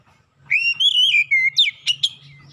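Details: Oriental magpie-robin lure song, used to prompt untrained birds to start singing. A loud clear whistle slides and wavers, then ends in sharp upswept notes and chips. A faint low hum runs underneath.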